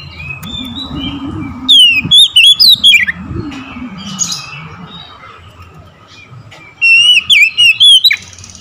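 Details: Oriental magpie-robin singing in the morning: loud, clipped whistled phrases with sharp up-and-down notes, two bursts of about a second each separated by a quieter stretch with a low background hum.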